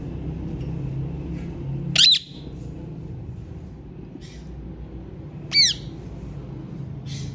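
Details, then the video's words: Colourful hand-tame ringneck parrots kept as pets: two short, sharp, downward-sliding squawks about three and a half seconds apart, over a steady low indoor hum. "Most Colorful Parrots Natural Sounds"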